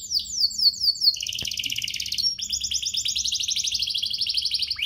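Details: Lure song of a canary meant to rouse other canaries into full song: a run of sharp descending whistled notes, then fast rolling trills in two layers, switching smoothly between rapid buzzy tours without pause.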